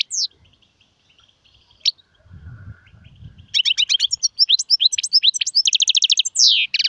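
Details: European goldfinch song, with styles named sirfati, gzirati and tsersir, opening with a few sharp notes, then a fast rippling run of tinkling twitters, rapid trills and a buzzy descending slur, with faint low rumble in between.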